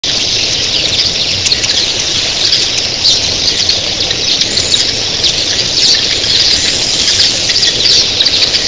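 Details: Thousands of red-billed queleas in an early-morning flock: a dense, continuous wall of high, squealing chatter with no gaps, plus a low rushing roar like surf from their wings.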